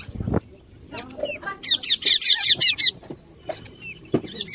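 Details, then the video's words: Parrot calling amid flowers and water lilies: a burst of rapid, high, scratchy notes repeated about three per second, with low thumps and a few scattered squeaks around it. "parrot natural sound"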